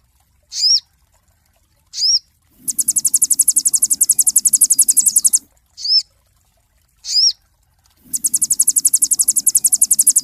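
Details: Cinereous tit master song for training songbirds: pairs of sharp, upswept, ringing chirps alternate with long, very high, buzzing rattles lasting nearly three seconds, with a low murmur under the rattles.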